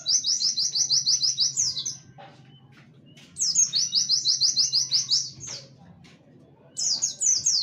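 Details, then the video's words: Rapid-fire 'tembakan wit wit kenari' song of a warbling white-eye, recorded for training songbirds: three bursts of fast, high, evenly repeated piercing chips, each ending in a downward slur, with soft ticks between. "pleci tembakan wit wit kenari cocok buat masteran"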